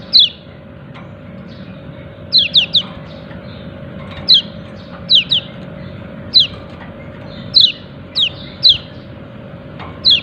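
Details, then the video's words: Yellow-breasted white-eye calling "ciak ciak": sharp, high, downslurred chirps given singly or in quick pairs and triplets, spaced by irregular pauses, over a steady low hum. "Pleci dada kuning memanggil ciak ciak"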